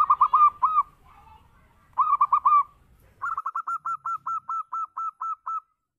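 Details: Local zebra dove, "berayun" song style used as a lure: clustered rolling coos, then a long steady run of about a dozen evenly spaced hooked notes, faint low noise beneath the first phrases.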